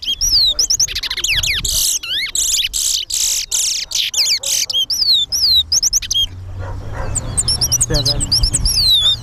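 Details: Two caged towa towa birds face off in a singing race at the Lamaha & Vlissengen Road bird ground, with their songs counted aloud. Rapid, dense whistled phrases sweep up and down, with brief pauses, a quieter gap and renewed bursts. Background music and voices.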